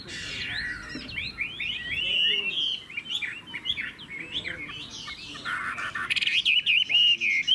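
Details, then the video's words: Loud-singing caged Chinese hwamei with a fine voice: a dense stream of quick, varied whistled notes and chirps, tumbling and changing pitch, ending in loud clear repeated slurs. "Họa mi hót hét tốt - Giọng hay"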